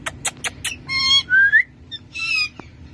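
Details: A talking pet rose-ringed parakeet ("mithu") gives four quick, harsh chirps, then clear whistled and speech-like phrases, including one smooth rising whistle, ending with a sharp click.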